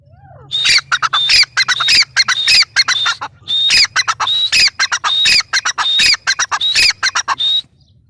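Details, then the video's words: Grey francolin, known locally as teetar, calling loudly in a fast run of harsh, ringing notes broken by short clear whistles for about seven seconds, then stopping. "gray francolin teetar sound"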